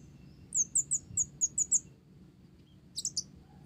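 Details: A Blorok-type olive-backed sunbird, actively singing with Java sparrow phrases, gives a string of seven thin, high, slightly downslurred whistles at a steady pace, followed after a gap by a brief burst of harsher chirps.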